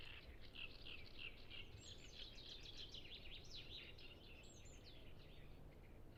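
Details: Great reed warblers, many singing together at Ema-Joe Suursoo Natural Reserve on the shores of Lake Peipus, recorded with a Zoom F6 and Sennheiser MKH 8040: dense, harsh chattering phrases tumble over one another above a steady low rumble.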